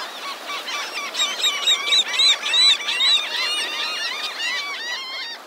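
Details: Gulls massed on the beach at Delnor-Wiggins Pass State Park in Naples, Florida, on a morning walk: loud, rapid, bent yelping calls tumbling over one another in bursts, several birds at once, with surf noise underneath.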